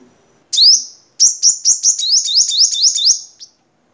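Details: Crimson sunbird from Vietnam giving a high, thin song: a sharp rising note, then a rapid run of about ten bright repeated chirps over two seconds.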